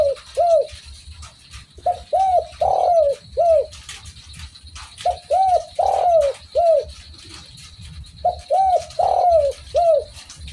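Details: Spotted dove (derkuku) singing a repeated coo phrase three times: quick short arched notes, then a longer drawn-out coo, with pauses between phrases. Faint high tone and low hum in the background.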